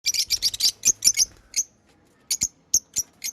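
Lovebirds chirp in a quick run of shrill, high squeaky notes, about six in the first second, then scattered single sharp chirps after a short pause.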